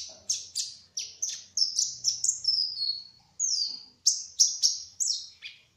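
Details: Spotted kolibri ninja, a sunbird locally called hummingbird, in lively song: a rapid run of very high, thin, falling whistled notes, about three per second, briefly pausing midway before the fast sequence resumes.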